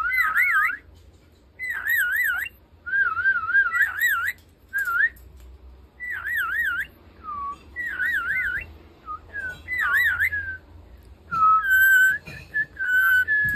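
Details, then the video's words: A talking rainbow lorikeet kept as a pet trades whistles with a person indoors: repeated wobbling, vibrato whistles in short bursts roughly every one to two seconds, then steadier drawn-out tones toward the end. "사람과 말하는 앵무새의 휘파람대결!!♡오색청해"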